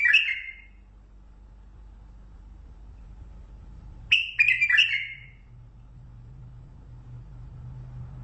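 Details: Mandali bulbul giving lisanat song as brief whistled phrases, each of several clear notes sliding downward, separated by a few seconds of near silence with faint low hum.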